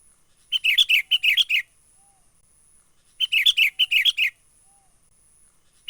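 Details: Sooty-headed bulbul lure call, a lively wild bird recorded in nature and used to attract birds for trapping. Two bursts of bright, chirpy notes, about six quick phrases each, separated by a pause of nearly two seconds. A faint steady high hiss runs throughout.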